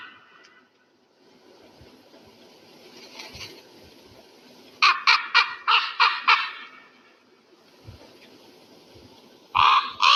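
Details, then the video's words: Eagle uttering a fast volley of six harsh, clipped notes in the middle, with faint earlier calls and one more loud note at the close. "REAL SOUND OF EAGLE"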